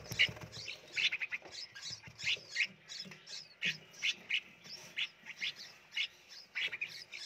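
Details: Several red-whiskered bulbul chicks in a nursery box, being fed in turn, give harsh, high squawks in quick bursts, about two or three a second, with soft handling noises underneath.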